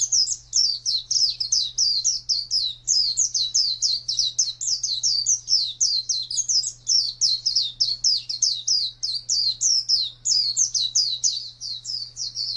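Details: Continuous ngalas wild-style song of an Oriental white-eye: an unbroken stream of rapid, high, rising-and-falling chirps with only tiny pauses, accompanied by a steady low hum.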